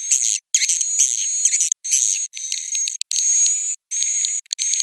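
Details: Swiftlet roosting call: bursts of dense high chirping with a steady thin whistled tone running through each, separated by short silent gaps about every half second to second.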